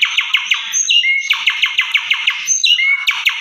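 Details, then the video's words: Indoor lure recording of Asian pied starling: rhythmic harsh chattering notes repeated about five times a second, interrupted twice by a clear rising whistle. "Pancingan Dalam Rumah Jalak Suren Biar Cepat Gacor Jebolll Isian"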